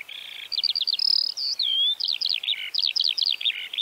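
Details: Eurasian Skylark, Central Russia, singing a lively high stream of rattling trills, repeated zigzag chirp groups and a drawn-out rising whistle, with a buzzy phrase at the start.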